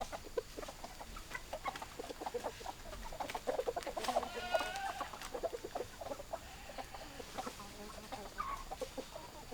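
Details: Hens clucking in a flock: many short overlapping clucks and murmurs through the whole stretch, with a brief higher harmonic call near the middle, over a steady background hiss.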